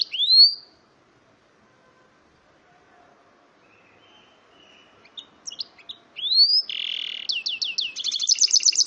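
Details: Mule bird from a male goldfinch crossed with a female canary, giving a sharp rising whistle, a long pause, scattered thin notes, another rising whistle, then a buzzy note and a fast run of repeated bright slurred trill notes.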